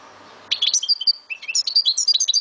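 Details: European goldfinch of Algerian stock, Souk Ahras, sings after faint background hum: scratchy high twitters, a clear drawn whistle, two lower slurred notes, then fast jumbled chirping.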